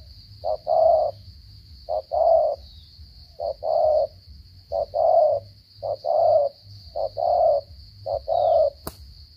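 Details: Spotted dove in Cà Mau style 'gù cà lăm' stutter-cooing: seven even, rhythmic phrases, each a quick short hoot then a drawn-out mellow coo, spaced about a second apart, ending in a sharp click over steady high hiss.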